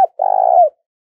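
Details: A single drawn-out, softly trilled coo with a falling tail, preceded by a brief click, from a decoy spotted dove used to excite and lure wild doves.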